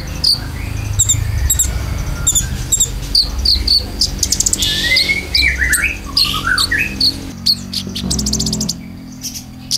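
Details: Konin lure and filler song for caged birds: a run of short high chirps repeated about twice a second, then a few slurred whistled notes, ending in rapid clicks over a low background hum.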